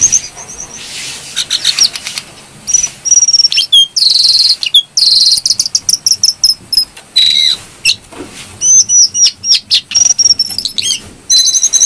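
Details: Brown-throated sunbird in full lively, breeding-condition song, recorded as a lure for songbirds: nearly continuous shrill, high twittering with long buzzy trilled notes, fast chips and slurred whistles running for over ten seconds.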